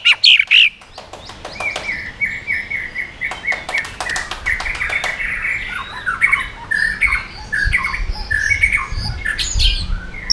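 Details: White-rumped shama delivering swiftlet-style song with rapid phrase changes and tail flicking to provoke other birds; opening clicks and loud notes, then a softer stream of repeated chirping notes over a noisy background.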